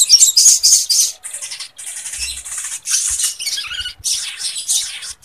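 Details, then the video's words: Lovebird-style chatter within a sogon's energetic song, a tutor recording for cage birds and breeding readiness; dense, harsh, high buzzing twitter runs almost without break, broken by short gaps. "SOGON GACOR ISIAN LOVEBIRD"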